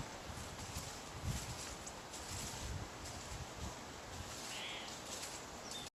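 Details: A Spotted Towhee in the Seattle area hops and scratches back through dry leaves looking for bugs, making irregular crunchy rustling bursts with a few louder scrapes over a steady outdoor hiss.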